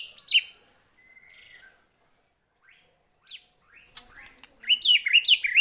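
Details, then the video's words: White-rumped shama responding to a lure recording: opening high, sharp notes, a thin drawn-out whistle, scattered pauses, then a closing burst of rapid high zigzag phrases. "Kicauannya gak ada remnya !!! Tonton sampai akhir video Murai Batu Gacor ini"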